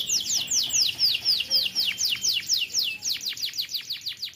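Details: Nonstop canary roll meant for tutoring young birds: a fast series of high downward-sweeping notes, about four each second, evenly pulsing and unbroken throughout.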